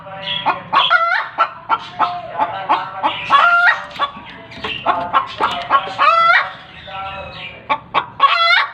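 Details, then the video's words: Egg-laying hen making noise after producing an egg, rapid staccato clucks building to long harsh wavering squawks, the pattern repeating several times without pause. "Why does a hen make a noise when she lays an egg"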